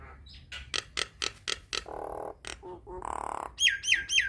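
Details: Nias hill myna gacor song used to train young mynas: evenly spaced loud clicks, a nasal buzzy note, short low whistles, another harsh buzz, then three high looping whistled notes.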